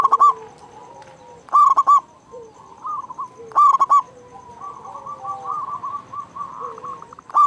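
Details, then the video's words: Chatty, loud-voiced local zebra dove, used as a lure to get caged doves calling quickly and to raise their breeding drive. Clusters of three or four loud, mid-pitched staccato coos recur every couple of seconds over softer background trilling and cooing. "Perkutut Lokal Gacor Suara Besar Pancingan Burung Perkutut Agar Cepat Bunyi"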